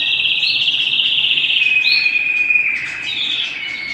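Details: Canary at home: a high trill that holds steady, then breaks into shorter sliding phrases before fading slightly.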